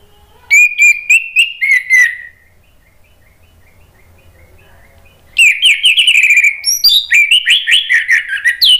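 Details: Orange-headed thrush in full, loud song, played as a lure to coax a bird that has stopped singing: a fast string of clear fluting notes, a three-second silence, then a long, rapid, varied warble of sweet whistles and twitters.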